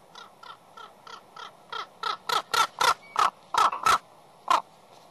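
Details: Noisy ravens on Catalina Island's West End closely follow and harass an adult bald eagle as she brings fish to her nest of two 7½-week-old chicks; about twelve harsh croaking caws in quick succession, growing louder midway, then a final lone caw.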